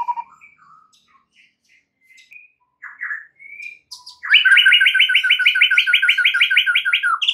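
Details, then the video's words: White-rumped shama song serving as a lure so other shamas sing and add phrases: faint scattered whistles and chips, then a sudden loud, rapid double-noted trill running for about three seconds. "PANCINGAN Murai batu untuk MEMIKAT murai lain AGAR GACOR dan TAMBAH ISIAN"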